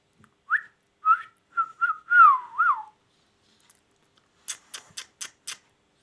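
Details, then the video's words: Pet ringneck parrot indoors giving a string of clear whistled notes that rise and dip in a wavering phrase, followed by a quick series of sharp clicking taps. "ringneck t|alking parrot"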